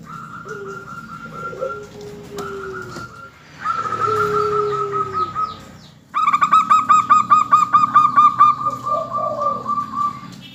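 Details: Local zebra dove song used as a lure to prompt other birds: several overlapping callers, with lower sliding coos early on, then a loud run of rapid, evenly spaced staccato coo notes.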